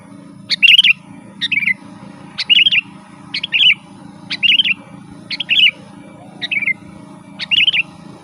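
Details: Sooty-headed bulbul in full chattering song, used as lure and tutor sound: eight crisp whistled phrases, each a sharp upstroke and a warbling flourish, spaced about one second apart against a faint hum.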